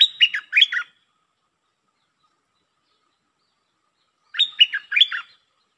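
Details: Red-whiskered bulbul giving a 'lak boen' style song. A clear phrase of four chirpy, slurred whistles is followed by several seconds of quiet, then a matching phrase repeats. The background is clean.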